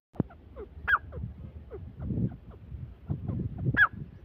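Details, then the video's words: Grey francolin, known locally as teetar, calling: loud, harsh notes with sharp downward slurs, a few shrill peaks standing out, over low rumbling background noise. "Irani teetar ki awaz Dakhni teetar ki awaz Teetar voice تیتر کی آواز Teetar ki boli"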